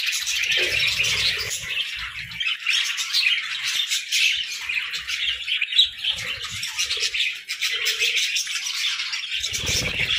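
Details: Parakeets chirp through the morning in a lively, overlapping warble of squeaky notes, with scattered soft thumps beneath the chatter.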